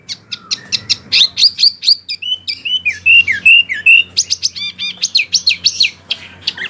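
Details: Lively Wambi song, used to tutor oriental magpie-robins and other birds. Rapid high ticks and chips run into sweeping whistled slurs and dense twittering. A soft low hum stays in the background.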